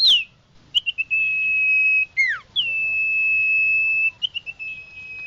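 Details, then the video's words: Common iora lure call, clear and steady: long level whistles held for over a second, each ending in a quick downward slur, with short chirps between them. "Suara pikat burung Sirtu/Cipoh Suara jernih mantap"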